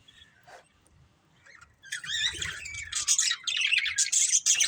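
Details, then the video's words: After a near-quiet start, pet budgerigars of a family group break into loud high chirps and rapid warbling chatter for the second half. "Cute Budgies Chirping Sounds"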